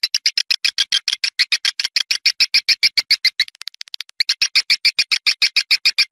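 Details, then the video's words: Outdoor swiftlet calls from Malaysia, used to attract swiftlets to nest indoors: a fast, steady train of short high chirps, about three or four per second, briefly breaking into a quicker ticking burst midway. "TIẾNG CHIM YẾN NGOÀI TRỜI 2020"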